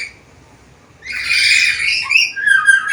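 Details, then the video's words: Black-capped lory, said to talk and make varied sounds; a long raspy screech followed by quick twisting squeaks and chattering notes. "Masteran Burung Nuri Kepala Hitam Gacor Bisa Ngomong Suara Bervariasi"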